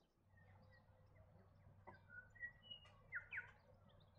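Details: European goldfinch, introduced to Australia, where it lives in pairs or small flocks in coastal and modified areas; short thin chirps and a pair of quick descending notes near the end, with a low steady hum beneath.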